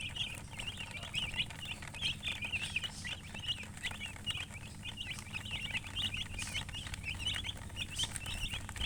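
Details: A group of chicken chicks calling continuously, short shrill cheeps repeating several times a second throughout, with a low rumbling hum underneath.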